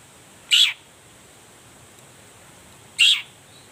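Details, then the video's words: Long-tailed shrike calling in the morning as a lure to get other shrikes singing: just two harsh, squeaky notes about two and a half seconds apart, with a constant thin high hiss behind. "toet toet Suara cendet gacor Pagi Hari pancingan jitu BIKIN cendet diam langsung nyaut ikutan bunyi"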